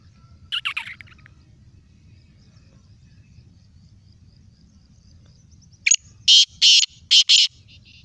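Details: Loud rasping call of a black francolin in Sindh, Pakistan: a faint scratchy note early on, then near the end a burst of five harsh, grating notes closely spaced, set against a low background rumble.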